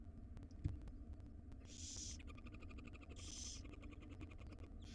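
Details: Wild barn owl owlets, five young in a monitored nest box, being fed breakfast by their mother; two harsh hissing screeches about a second long stand out over a steady low hum and faint clicks.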